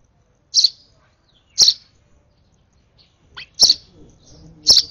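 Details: Hand-fed sparrow nestling, excited during its last feeding, gives four short piercing high chirps spaced about a second apart, with brief silence between them and faint low rustling near the end.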